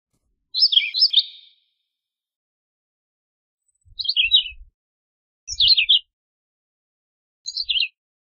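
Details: Philadelphia vireo: four short, jumbled, high warbled phrases spaced a second or two apart, each stepping downward, with faint low thumps under two of them.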